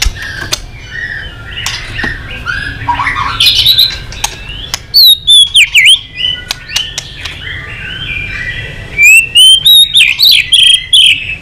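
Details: White-rumped shama giving a fighting song: scattered chirps and clicks build to loud, sharp rising and falling whistled phrases in two bursts, with a low rumbling background throughout.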